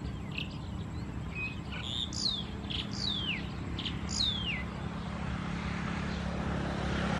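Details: Red-wattled Lapwing, subspecies atronuchalis, at Ban Thai Talat, Khao Yoi district, Phetchaburi, Thailand, on 28 August 2020: a few loud, sharp notes that slide steeply downward, given in quick succession over a steady low rumble.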